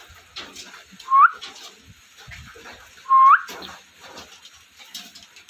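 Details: Parrot with two loud whistled notes about two seconds apart, each dipping then sweeping sharply upward, over quiet background chatter and soft clicks.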